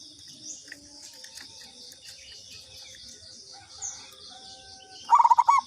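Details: A single short burst of rapid rolling coos ending in a drawn-out note from a local zebra dove lure call arrives at the end, after faint chirps and a constant high buzzing background.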